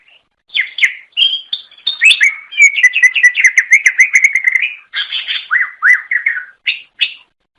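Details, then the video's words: Greater green leafbird chirping to lure fellow cucak ijo: a continuous, melodious medley of rapid warbles and repeated slurred notes, with a fast stuttering series in the middle and sweeping downslurs near the end. "Suara Kicau Burung Cucak Ijo Durasi Panjang Untuk Memikat"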